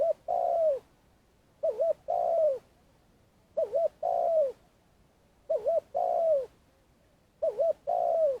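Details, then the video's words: Spotted dove used as a lure for bird trapping in Vietnam, calling at length; five phrases, each a stuttering two-part coo and a longer downward-sliding coo, spaced roughly every two seconds. "Cu gáy mồi cây - gáy gọi dài"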